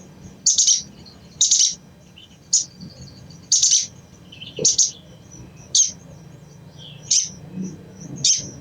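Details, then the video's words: Chattering calls of a crimson sunbird, used to prompt other sunbirds into song. Shrill, rasping high-pitched bursts come about once per second, with faint thin notes in the gaps and a quiet low background hum. "SOGON | SOGOK ONTONG | SUARA CECRETAN AMPUH MERANGSANG BUNYI SOGON BAHAN"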